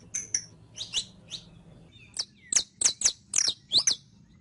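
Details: Saffron finch, known locally as canario criollo, in audio for teaching a captive bird to sing: scattered high chips, then a run of sharp, loud, steeply falling notes about every third of a second.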